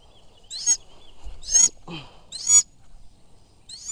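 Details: A Sulawesi goshawk (Accipiter griseiceps) used in falconry hunting gives three harsh, ringing screeches about a second apart, with a softer lower sound between the second and third.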